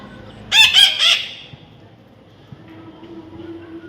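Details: Tame baby parrot giving three harsh, loud screeches in under a second, followed by quiet room sounds and a faint low hum.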